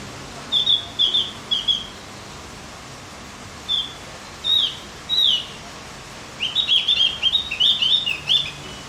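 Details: Javan grey-throated white-eye singing to rouse other birds: high whistled phrases in short groups, spaced pauses, then a fast rippling run of sliding chirps that rises and falls.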